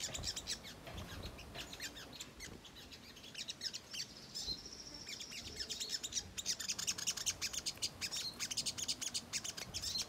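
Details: Sogok ontong, the ruby-cheeked sunbird, delivering energetic 'nyerecet' chatter meant to stir other birds into responding: fast, thin, high chirps, a brief sustained whistle midway, then dense rhythmic ticking bursts.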